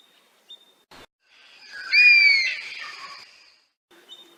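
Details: An Oriental honey-buzzard in Rajasthan, India, gives a single high, thin whistle that slurs slightly downward and lasts about half a second, over a soft hiss of background noise.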